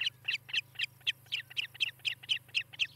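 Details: Nest camera at Charlo, Montana, July 2018 morning: an osprey repeats bright, slightly slurred high chirps, about four each second, evenly spaced, with a steady low electrical hum.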